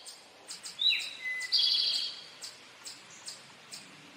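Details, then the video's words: Male Eastern towhee giving its "drink your tea" song: a sharp whistled note, a lower second note, then a high rapid trill about half a second long. Quiet ticking calls follow in the background. "Eastern towhee song | Drink your tea"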